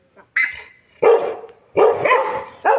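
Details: Buff-necked ibis chick on a Brazilian farm in Mato Grosso, late afternoon: four loud, harsh, honking calls spaced irregularly, the first higher and nasal, the others coarse and rasping.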